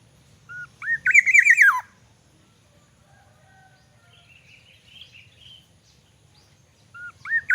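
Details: Captive Black-naped oriole from Aceh singing in the morning: a loud wavering whistled phrase, a pause with soft distant chirps from another bird, then the fluty phrase starting again.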